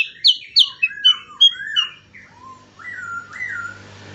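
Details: Sooty-headed bulbul song for training songbirds: a few sharp high chips and twittering notes, then mellow slurred whistles that rise and fall, over a low background hum.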